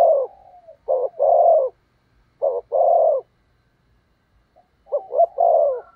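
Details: Decoy spotted dove cooing to lure wild doves: three low phrases, each two short clipped notes followed by a longer, drawn-out coo, with quiet gaps between them.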